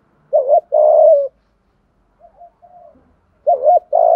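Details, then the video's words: Spotted dove with the "thổ" voice style, cooing to train decoys and lure wild birds: two-part wavering coos, each a short wobble and then a held note, a soft faint coo, then another strong pair. "Chim cu đất giọng thổ đủ bài- thúc gù bài bản- gáy gọi mới nhất"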